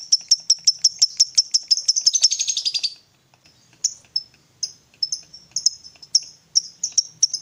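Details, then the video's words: Fighter lovebird, ticking that runs into a trill (ngetik sambung ngekek), used as a lure for a quiet bird: quickening high clicks merging into a three-second rattle, then a pause and scattered shrill chips. "Pancingan Suara Lovebird Gacor Fighter"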